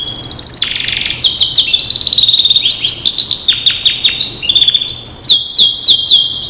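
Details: Starblue canary singing a master song used for training other canaries: a loud, continuous run of high whistled notes, fast rattling trills and abrupt pitch jumps, with no other sounds.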